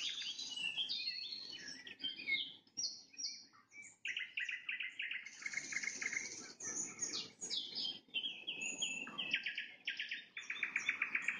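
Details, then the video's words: At sunset a nightingale runs through a long, varied song: high slurred whistles, a stretch of buzzy, stuttering repeated notes, then more rapid chattering trills in changing blocks. "Пение соловья на закате, соловьиные трели"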